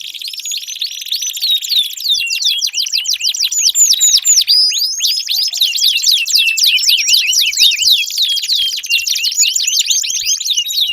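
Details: Vigorous canary song used to get a silent canary singing, switching between very fast buzzing trills and bursts of upswept whistles, loud and continuous from start to finish.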